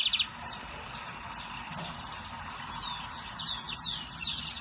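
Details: Lined seedeater singing in the wild: scattered thin, high whistled notes and quick downslurred sweeps. Near the end they run into brighter, rising phrases over steady background hiss.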